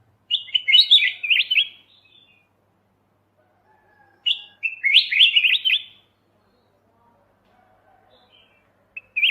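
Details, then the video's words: Kutilang emas mata putih bulbul, a master recording for training songbirds: two bursts of bright, bubbly warbled phrases around the upper mid range, each lasting over a second, separated by long silence, with a short note starting at the end. "suara masteran Kutilang emas mata putih"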